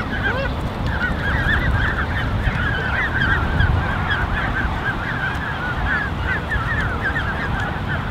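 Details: Canada goose goslings, around 34 together in a creche with two adults, June 13, 2015, producing a continuous stream of high, bent peeping notes packed closely, with low rumble underneath.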